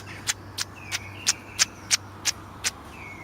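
A robin gives sharp, dry ticks about three times a second, with a faint thin whistle drawn beneath them and a low engine hum behind.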